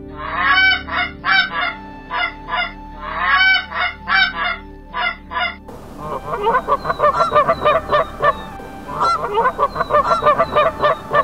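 Geese giving loud, nasal honks in quick bursts of two to four, first from a single bird, then a denser, overlapping chorus from several birds.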